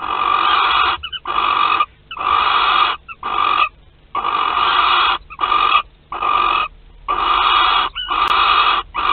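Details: Barn owls at their nest in Théding, France, 25 April 2021, the male present: a fast series of rasping hissy bursts, some clipped and some longer, roughly every second, with brief silences.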